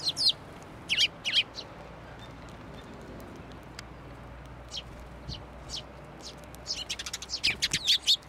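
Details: Sparrows landing on an outstretched hand for food at a Tenmangu shrine on 10 June 2024. A few loud chirps open, quiet follows, then a rapid excited run of chirping builds at the close.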